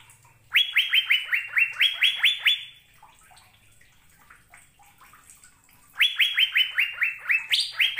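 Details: Asian fairy-bluebird in full melodious song: a quick run of bright, sharply downslurred whistled notes for two seconds, a silent gap, then another fast series ending in a higher rising note.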